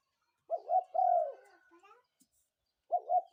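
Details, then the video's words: Morning coo of a spotted dove: two short soft notes into a long slightly falling coo, a faint trailing murmur, then the phrase starting again. "ນົກເຂົ້າໃຫຍ່ຂັນຍາມເຊົ້າ นกเขาใหญ่ขันยามเช้า"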